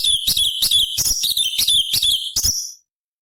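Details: High-octave song of the cucak cungkok bulbul, played to teach other songbirds: dense stream of scratchy, rattling high chirps at a steady fast beat, ending abruptly.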